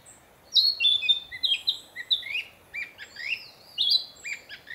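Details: Narcissus flycatcher back from southern countries to breed, singing actively in a fresh-leafed forest to declare territory: a run of bright whistled phrases, some sliding down, others rising, with short gaps between bursts.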